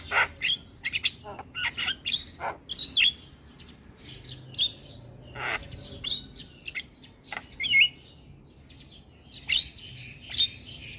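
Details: Jalak kebo (buffalo starling) song meant to coax silent caged jalak birds into full song: busy run of clicks, chirps and squeaky whistled notes in quick bursts, some broad rasping notes, continuing steadily with brief pauses.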